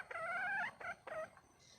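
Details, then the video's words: Female red junglefowl calling for a mate: a drawn-out, whiny, harmonic note slowly rising over about half a second, then two shorter upslurred notes, the last fading. "le bruit d'une poule sauvage,เสียงไก่ป่าร้องหาถู่หาตัวผู้,ສຽງໄກ່ປ່າຮ້ອງຫາຄູ່ຮັກ, poj qaib qus see"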